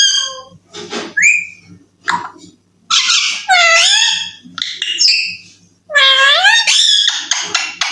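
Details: Indoor pet Alexandrine parakeet, a young talking bird said to say "I love you": short rising squeaks, then long, dense, harsh, wavering phrases that carry high tones, with brief pauses between bursts.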